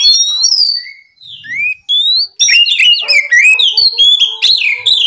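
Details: Oriental magpie-robin singing in the morning, played to provoke rival birds: a rich run of clear whistled notes, slurred upward and downward sweeps, then a dense burst of varied fast warbling phrases and chattering notes.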